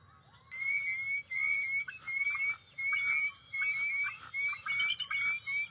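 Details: Bald eagle at a nest on May 15, 2023, recorded on a field cam while chasing intruders: clear, rising whistled notes with ringing overtones, repeated about every half second in a steady chattering series.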